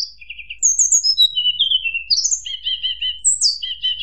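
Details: Hill blue flycatcher giving provocative fluting song: high trilled whistles, a long descending glide, then several quick repeated double notes at mid pitch and a falling sweep.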